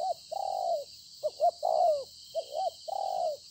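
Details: Spotted dove, a newly wild-caught field bird, recorded 26 September 2020, cooing in quick succession: several long, smooth, descending coos, each introduced by short rising notes, under a constant high hiss.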